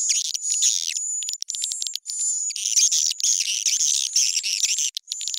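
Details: Edible-nest swiftlet call track with raised pitch and tempo, used to lure swiftlets to bird houses: dense, high, buzzy chattering trills in rapid bursts, about two a second, with a steady thin whistle running over them.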